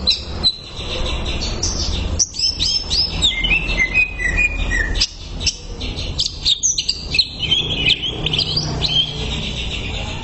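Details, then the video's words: Greater green leafbird singing in a training recording, a dense tumbling stream of high whistles, trills and quick slurred chirps, with background rumble. "MASTERAN CUCAK IJO SANGAT MAHIR UNTUK TERAPI"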